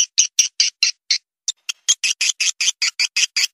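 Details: Edible-nest swiftlet lure call for roosting: short, harsh chirps repeated in a rapid, regular series, with a brief pause after the first few.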